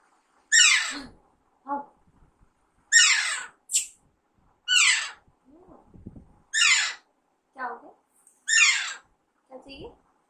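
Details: Alexandrine parakeet raised as a pet since it was young, calling in a series of loud, harsh, descending squawks about every two seconds, with short softer notes in between.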